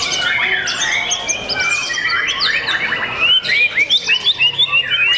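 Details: Young white-rumped shama kept as a prized cage bird: fluid swooping whistles, then a crisp run of evenly spaced rising notes, roughly three per second, bright and high, with light background bird chatter.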